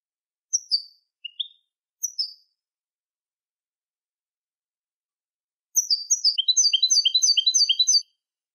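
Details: European goldfinch song for training young goldfinches: a few spaced, descending high chirps, then after a pause a fast, regular twittering run of repeated tinkling notes lasting over two seconds, with no background sounds.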